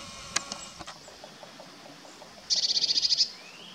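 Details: Courtship of a Eurasian blue tit in woodland at Kotthauesn, Wuppertal Beyenburg, NRW, 12 May 2021: soft scattered ticking notes, then a loud, high, rapid trill of roughly eleven even notes lasting under a second.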